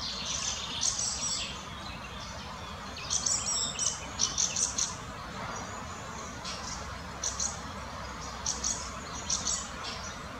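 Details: Fieldfare, an adult with a juvenile, in the Botanical Garden in Munich: harsh, clipped high chattering notes in short clusters of three or four, with quiet gaps between bursts and a steady low background hum.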